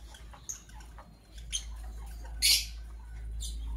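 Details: Parblue Violet Fischer's and Pastel Green Opaline lovebirds chirping in the morning: about four short, piercing high chirps roughly once a second, the loudest near the middle, over a steady low hum.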